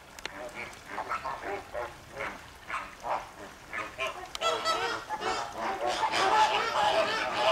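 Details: Captive flamingos at the Llanelli Wetland Centre in Wales, 21 August 2021, calling noisily as a group: repeated honking, goose-like calls in rapid overlapping bursts, building into a dense continuous chorus of many birds in the second half.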